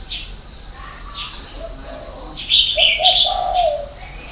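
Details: Spotted dove performing the Vietnamese six-note cooing style called '6 tiếng', with a 'hậu 3' ending. Low, soft coos run through the second half, under louder high chirps and twitters from other small birds.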